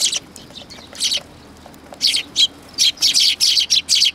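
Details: Tree sparrows flock in for food at a Tenmangu shrine on 19 August 2022, chirping loudly and rapidly. Scattered notes open the passage, then a dense, nearly continuous string of chirps follows.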